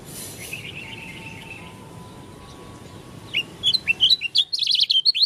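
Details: Oriental white-eye of the dakun type from Lombok. A steady background noise and a faint thin whistle come first, then the bird breaks into quick, high, twittering whistled notes with rising and falling slurs for the final two seconds.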